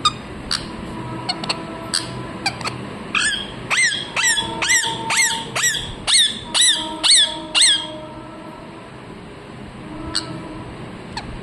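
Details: Pet parrot calling: faint scattered calls, then a run of about nine loud, harsh squawks. Each one rises and falls sharply and they come roughly twice a second, before it goes quiet again.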